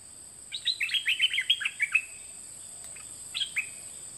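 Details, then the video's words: Singing dok taeng bird in a 2020 teaching recording for young birds: a quick string of about ten high chirps over a second and a half, a pause, then two more notes. "เสียงนกดอกแตงเจ้าเพชรกับเจ้ามณี เสียงใหม่ล่าสุด2020ไว้สำหรับต่อ ใช้หัดลูกนกให้ร้องตาม"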